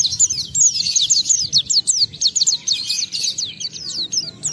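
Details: Oriental white-eye, a caged bird played as a lure to make other white-eyes sing; rapid high chirping song of short down-slurred notes, about two per second, with a low hum beneath.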